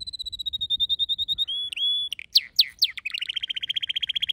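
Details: Domestic canary singing: an even series of rapid high notes, a long steady whistle, a few strong downward-sweeping notes, then a quick rolling trill.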